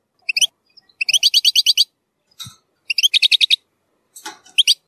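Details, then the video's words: European goldfinch song in the zilzal style with strong nahrat phrases, played for tutoring young goldfinches; bursts of rapid, bright, high ticking notes about a second long, separated by short pauses, with a faint low thump and a scratchy note between. "تغريد زلزال للتسميع صغار الحسون ،يحتوي على نهرات قوية"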